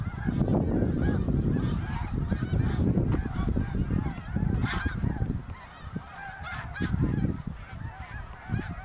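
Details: A vast flock of migrating greater snow geese over Ottawa, Canada, in autumn 2021. Clear yelping honks overlap constantly in quick succession, with a strong low wind rumble underneath.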